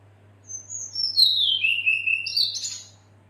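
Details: Female red-billed leiothrix calling the male: a high thin whistle slurs steadily downward into a buzzy chattering stretch, then jumps back up to a harsh high burst before fading. A faint low hum runs throughout.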